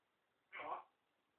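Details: An African grey parrot blurts out a brief, clipped swear word ("F it") in a human-like voice as someone walks through the door, quiet indoor background; the swearing was not taught but predates purchase; grey parrot mimicked speech.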